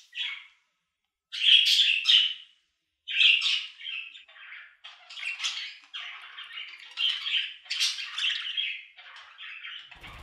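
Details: Budgie calls start in separate squawky bursts, then merge into continuous scratchy warbling chatter with chirps and squeaks.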